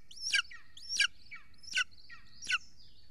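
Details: Estonian golden eagle nest, live camera footage from the evening of 3 June 2020 while a large prey item is delivered: four shrill, descending yelping calls spaced roughly 0.7 seconds apart, each with a thin whistled tail.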